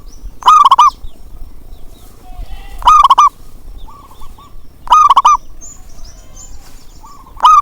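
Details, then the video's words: Zebra dove lure song: strong bubbling coos recur roughly every two seconds, interleaved with quieter answering coos and thin high whistles. "panggilan untuk perkutut malas bunyi"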